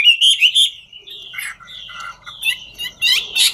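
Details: Chinese hwamei of the ngũ trường style, singing while dancing: short bright whistled bursts near the start, then scattered chirps and warbled phrases after a brief lull, ending in a loud run of rapid notes.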